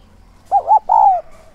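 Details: Single phrase from a decoy spotted dove calling in the thúc and gáy gọi styles to attract wild doves: two quick hollow coos followed by a longer, smooth, slowly falling coo.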